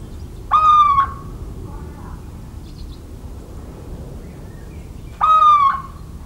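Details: Little owl recorded in open countryside in central France on 17 March 2019: two drawn-out, nasal, mewing hoots, each about half a second long and steady in pitch, spaced roughly five seconds apart over a faint low rumble.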